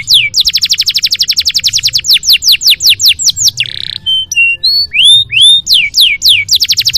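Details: Canary song used as a master recording for training other canaries: long rapid trills of high sweeping notes, a brief harsh buzz, then clear whistled slurs and more fast trills, loud and continuous.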